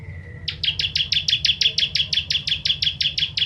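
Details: Bar-winged prinia (ciblek) in the crystal 'tembakan pedas' style, used for tutoring songbirds: a short level whistle, then a fast burst of about eighteen sharp, high, clipped notes in steady rapid succession over a low hum.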